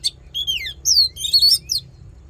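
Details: Short excerpt of Oriental magpie-robin fighting song meant to fire up males during voice training: a few loud, clear, descending and upswept whistles in quick succession, with a low hum beneath.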